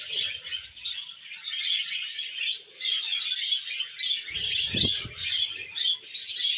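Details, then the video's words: Budgerigar in a happy mood chattering nonstop with bright chirps and grating warbles, plus a few muffled thuds. "Happy Budgie Sounds"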